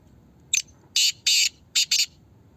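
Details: Harsh phrase from a Black francolin in a calling contest: a clipped first note, then two long scratchy rasps and two shorter ones, loud and grating against low steady hum.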